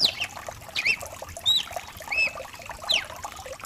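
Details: Rain-backed recording of a mutation cardinal, made to warm up a caged bird's singing. Several sharp whistled slurs, some upward and some downward, sound over constant rain noise.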